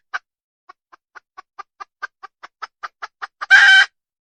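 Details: Wild red junglefowl hen: around fifteen rhythmic clucks, roughly five per second, leading into a single loud, coarse squawk at the end.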